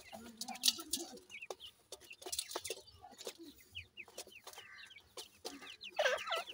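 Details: Grey francolin chicks at play, giving scattered thin upslurred peeps and short chirps over a low background rustle, with a louder cluster of calls near the end.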